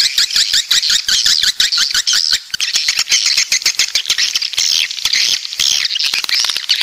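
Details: 'Walet pantai' swiftlets from the south in a steady flock chorus: shrill, buzzy high twitters rising and falling, with rapid clicking pulses, about two per second, underneath.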